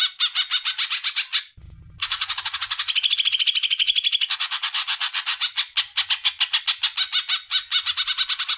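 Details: Song of a greater green leafbird meant to get young birds singing: a quick, harsh, high rattle, a short break, then a sustained buzzing trill of densely packed notes that loosens into separate chattering pulses.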